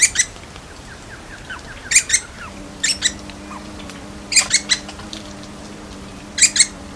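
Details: Little woodpecker (Dryobates passerinus) calling: brief bursts of sharp, high, chattering notes in twos and threes every second or two, with faint soft whistles and a low steady hum.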